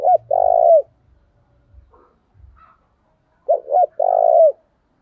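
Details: Spotted dove decoy, thổ voice, calling to provoke a fight: two phrases, each a pair of brief coos then a long falling coo, about three seconds apart.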